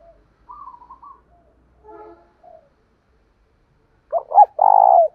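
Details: Spotted dove lure call meant to stir fighting, loud 'thổ đồng' voice: quiet wavering coos and a few soft low notes first. A strong stuttered coo phrase with a long rolling ending follows near the close.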